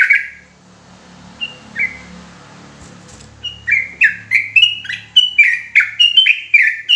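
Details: Sooty-headed bulbul in emotional, persistent 'ropelan' song: a few scattered whistles over a low background hum, then a steady burst of clear slurred notes repeated rapidly to the end.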